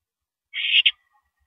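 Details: Owl at a mouse delivery, April 13 2012, 9:17 PM, makes a breathy, rasping screech that breaks briefly near its end into a second short burst.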